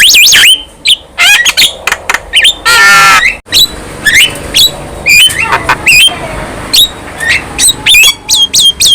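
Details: Young Javan myna singing vigorously while nodding its head: a busy jumble of harsh squawks, sharp clicks, rising whistled notes and one long buzzy rasp, with the notes coming in irregular bursts.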